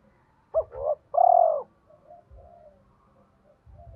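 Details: Caged spotted dove kept as a lure bird to provoke wild doves into calling, singing in the 'giọng thổ' voice style: two quick low coos, then one long, steady, mellow coo, followed by fainter soft coos and low background rumble.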